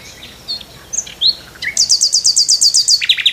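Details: Nightingale on a tree in the morning, giving isolated slurred whistles followed by a quick, steady volley of about a dozen high, piercing notes and a final falling phrase.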